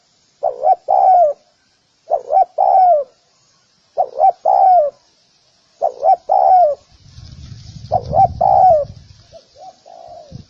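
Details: Spotted dove giving a lure call for other doves: five evenly spaced phrases of two short coos and a drawn-out falling coo, then a low rumbling noise under the final phrase.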